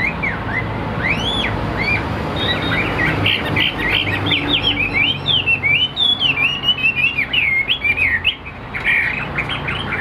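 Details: Caged Chinese hwamei of the tam hoàng (three-yellow) type, singing in the afternoon before reaching full strength: a fast run of loud whistled, slurred notes rising and falling, dense and varied, with low room hum beneath.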